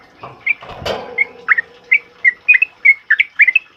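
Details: Sooty-headed bulbul in a loud ropel uplik style, used to train other birds: short bright whistled notes given about three per second, some rising, others falling, after an opening thump and a brief rushing noise.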